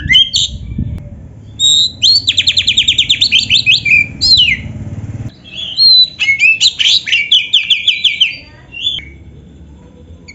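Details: Kacer, or Oriental magpie-robin, in complete 'isian' song borrowed from canaries: a long fast trill of repeated notes, falling whistles, a short pause, then a second chattering run with sharp whistled accents.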